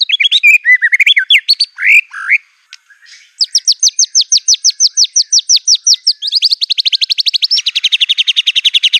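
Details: White-rumped shama in aggressive full song, mixing mimicked canary, cililin, cungkok and lovebird phrases: slurred whistles and chatter open, then a long, fast, high, even trill of sharp repeated notes, nearly three per second.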